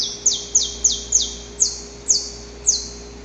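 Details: Wild saffron finch recorded in nature, a male whose long, harsh predawn song courts the female: seven loud, high, sharply down-slurred notes, four in quick succession then three more widely spaced, over a faint steady low hum.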